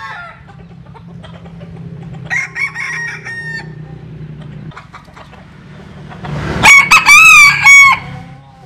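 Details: Jap Cuban bantam rooster crowing while sunbathing: after quiet scattered clucks and a short harsh call, one loud crow in several rapid strained syllables, the last drawn out and slightly rising, about 1.5 seconds long.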